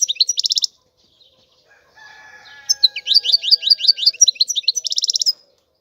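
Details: European goldfinch: a buzzy trill, a quieter stretch with a faint lower steady tone, then a quick series of high bouncing chirps ending in another dense buzzy trill.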